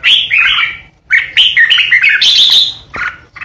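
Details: Decoy red-whiskered bulbul in full song with ché calls, giving a quick run of whistled, slurred notes that builds into a harsh, buzzy rasp, then a short closing note.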